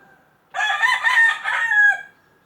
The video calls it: Rooster's Sound